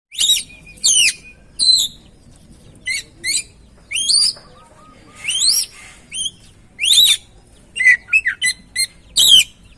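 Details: Oriental magpie-robin song used as a lure to stir a silent or stressed bird into singing: loud, varied whistled phrases with rising sweeps and short trills, separated by brief pauses, over a faint low hum.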